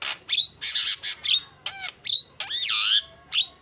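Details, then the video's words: Javan myna song: harsh grating squawks interspersed with a quick down-slurred whistle and a long swooping whistled note, delivered in brisk bouts. "JALAK KEBO SUPER GACOR SUARA ISIAN"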